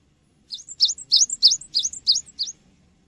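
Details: ['Cinereous tit, a lively singer used as a lure for training birds, repeating about seven paired phrases: a short high whistle sliding into a lower V-shaped note, roughly three per second, with faint low hum beneath.']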